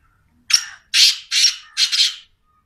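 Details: Black francolin giving its call: a short rasping note followed by three longer, hoarse, scratchy notes spaced about half a second apart, very loud and close, with near silence around it.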